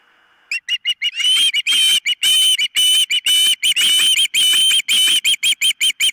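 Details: Nest-camera recording of an osprey at its nest, 4 September 2023, morning: a fast, urgent stream of piercing whistled cries, some drawn out and rising, packed almost without gaps.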